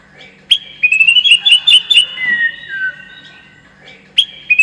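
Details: Lure song of a white-rumped shama, played to make the bird more combative: a sharp note, then a series of evenly spaced whistled notes, followed by a long, smooth descending whistle and a short return.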